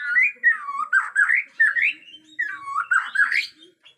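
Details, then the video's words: Borneo white-rumped shama, agitated, natural forest sound: rich, continuous warbling of fluty whistles sliding up and down in short linked phrases. "Murai Batu Borneo Ngamuk suara asli hutan"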